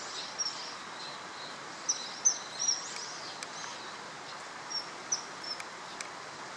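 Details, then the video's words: Male common kingfisher at the Tama River, recorded 21 March 2013: thin, high, short whistled notes in scattered pairs over steady broadband river-like noise. "カワセミ♂ kawasemi"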